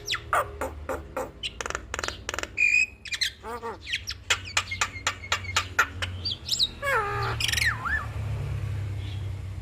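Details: Javan myna singing energetic 'gacor full isian' masteran for other mynas to imitate: dense burst of hard clicks and chattering chirps, a brief pure whistle, falling slurred notes, then wavering high squeals over a faint low hum.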